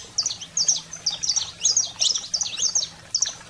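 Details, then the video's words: Saffron finch song in the 'fogo selvagem' style for stimulating canaries: distinct bursts of shrill, sharp chip notes roughly every half second, separated by short quiet gaps, over light background hiss. "Canário-da-terra Fogo Selvagem"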